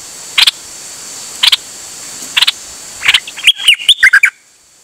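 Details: Bird singing, recorded 8 September 2023. Short sharp chirps come about once a second, followed by a quick run of high twittering notes, over a faint steady hiss.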